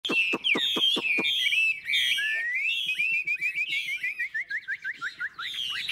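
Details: Old wild-caught Chinese hwamei, a caged bird, singing loudly: sharp clicking notes under rich slurred whistles, then a long run of quick falling whistled notes repeated about three times a second.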